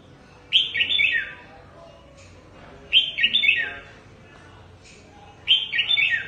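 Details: Trapped red-whiskered bulbul from Cao Bang kept as a decoy bird, repeating one rolling whistled phrase three times about every two and a half seconds, each dropping in pitch at its end.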